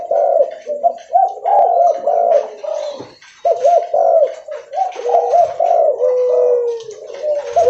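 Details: Very vocal spotted dove, leopard variety, cooing while walking; dense phrases of warbling, hollow coos broken by one short gap, with faint clicks in the background.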